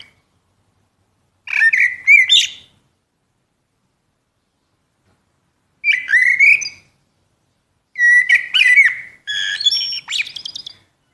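A common blackbird sings three short phrases, each a mellow fluted warble that ends in a high, squeaky twitter, with pauses of several seconds between.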